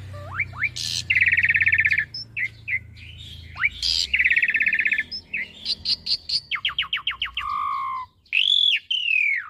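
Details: Asian pied starling song, recorded as a master for young birds to imitate. Rising whistles and harsh bursts lead into long buzzy rattles, followed by a quick series of clicking chips, a falling whistle and a loud arched note.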